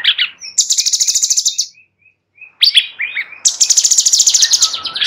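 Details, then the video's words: Sooty-headed bulbul giving fast buzzy trills at high pitch, then soft single notes, a pause and another rattling buzzy trill; used as training song for white-rumped shamas. "Master Cucak Cungkok"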